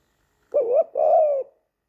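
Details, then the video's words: Male spotted-necked turtledove kept as a pet, cooing to woo his human owner in spring, recorded 23 September 2019; a single two-part coo, a short wavering note then a longer steady hollow note, clean quiet background. "Spotted Neck Turtledove cooing wooing his human"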